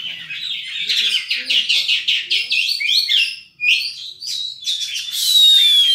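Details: Oriental magpie-robin (kacer) in energetic song full of imitated phrases: rapid clipped notes and harsh chatter, a brief break, then a loud pure whistle sliding slowly downward.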